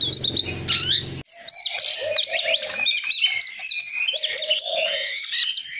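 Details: An Oriental magpie-robin sings to call and stimulate other birds: a rich, varied stream of clear whistles, slurred and scratchy notes, and lower warbles, with a brief low hum at the start.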